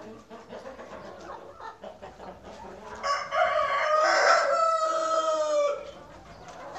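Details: Rooster at a farm with a drawn-out crow of nearly three seconds, harsh and strained, ending on a slight downward slide. Quiet clucking from other hens comes before it.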